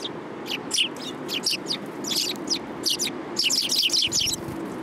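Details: Sparrows approaching to be fed in a city on 30 November 2015. Busy, lively chirping from several birds, with sharp high notes tumbling over one another and growing denser toward the end, over a low urban rumble.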